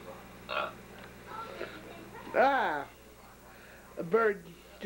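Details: A pet male blue-and-gold macaw indoors in Maryland, USA, during the January 1996 blizzard gives two short, throaty burp-like calls with bending harmonics about two seconds apart, over low room hum and a little human speech.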